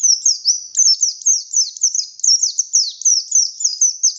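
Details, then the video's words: An oriental white-eye of the buxtoni type, kept bird, sings an unbroken stream of shrill whistled notes, each falling in pitch, delivered at roughly three per second with slight variation. "Burung pleci Buxtoni Gacor Buka Paruh Nembak Bongkar isian"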